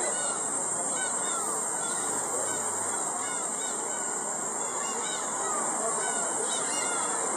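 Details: Several black-tailed gulls (Larus crassirostris) at Shinobazu Pond, Ueno, Japan, on 10 July 2011 give overlapping nasal, mewing calls over a steady high-pitched hiss and background hum.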